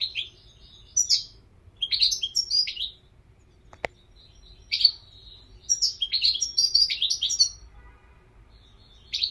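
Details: European goldfinch singing in several short, fast bursts of jingling, twittering notes broken by brief pauses. A single sharp click sounds midway.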